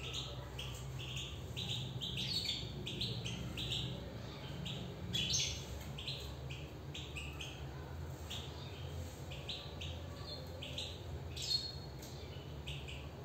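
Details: European goldfinch in a cage, giving a steady stream of short, high, chirping notes in quick succession for the whole stretch, with a few louder twittered accents over a low background hum.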